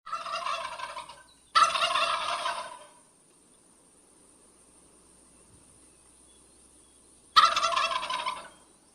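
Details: Male wild turkey gobbling three times: loud, rapid, rattling gurgles, each about a second long, separated by quiet pauses.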